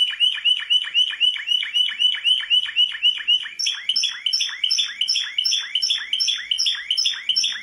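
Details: Champion canary singing a continuous series of rapid, rhythmic, downward-swept notes, shifting midway to a brighter, higher-pitched version of the same pattern.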